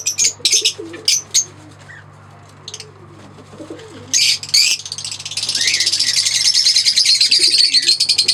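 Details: A green pair of Fischer's lovebirds singing and chirping: short bursts of sharp, high chirps with pauses, then a steady run of dense, high-pitched chattering over the last three seconds. A low, steady hum runs beneath.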